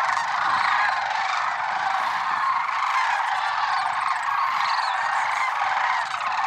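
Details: Lesser sandhill cranes at Merced National Wildlife Refuge in early morning, February 6, 2023: a dense, unbroken chorus of many overlapping rolling, honking calls from a large flock, steady in loudness throughout, with no other clear sounds.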